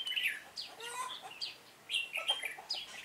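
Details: Red-whiskered bulbul singing as a decoy in a trapping session, 7 September 2018. Loud, clear whistled phrases, each bright note dropping or bending, delivered in three quick bursts.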